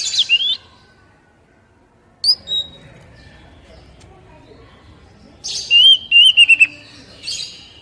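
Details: Oriental magpie-robin song used to stimulate untrained captive birds into singing. Sharp, high whistled phrases come in short bursts, with long quiet pauses between them against faint background noise.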